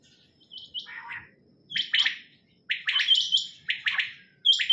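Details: Female quail call used in quail hunting in Pakistan: harsh, raspy bursts of two or three quick notes, repeated roughly once a second, against a quiet background.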